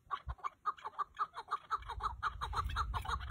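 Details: Chukar partridge calling in a fast run of repeated raspy clucks, roughly two per second, with a low rumbling background growing louder toward the end.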